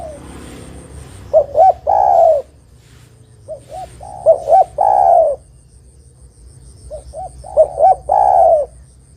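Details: Spotted dove cooing, recorded to lure and snare answering rivals: three evenly spaced phrases about three seconds apart, each two or three quick rising hoots then a long rough falling coo, over quiet background and a faint high whine.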